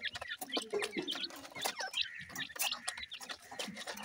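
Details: Young grey francolins, feeding: repeated brief high-pitched chirps, several with slight upward inflections, among frequent dry clicks and knocking sounds.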